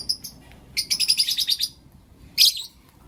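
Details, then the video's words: Pet lovebirds of blue opaline and lutino opaline colour forms chirping in the morning: a couple of faint early chirps, then a rapid run of about eight harsh, high chirps, and later one loud screechy note. "Lovebird Chirping Sounds and Call Sounds From Blue Opaline & Lutino Opaline"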